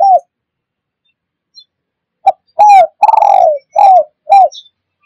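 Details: Spotted dove coo phrase for attracting wild birds: one coo, a pause, then a brisk series of arched hollow notes with a long falling note in the middle. A faint chirp is also heard.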